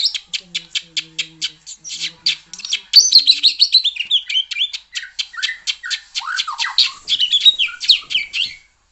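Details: White-rumped shama song meant to get another shama singing loudly: a quick series of sharp repeated chips, roughly eight a second, bursts into a loud, unbroken run of varied whistles, slurred notes and trills.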